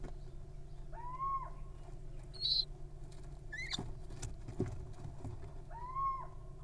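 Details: Little owl nestlings in the wild, giving arched, mewing calls at the start and end, with short high squeaks and a rising chirp in between, all over a constant low rumble.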